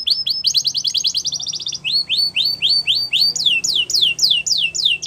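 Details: Canary song used to stimulate other canaries to sing: rapid repeated chirp trills, first fast high notes, then slower rising upward-curving syllables, then descending sweeps, each phrase of evenly repeated notes; no other sounds.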